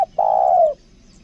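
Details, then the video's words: Lombok decoy spotted dove of the 'kuk dua' kind ending a phrase with one sustained, mellow coo that holds steady and then slides down before stopping. "PIKAT TEKUKUR KUK DUA"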